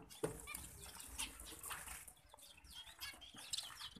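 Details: Captive-bred zebra finches give a busy stream of short, nasal, toy-trumpet calls that overlap one another.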